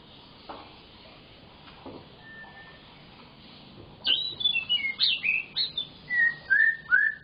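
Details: White-rumped shama singing briskly to prompt silent shamas; after a quiet start, a rapid run of sharp high whistles and slurred descending notes repeated about three times per second.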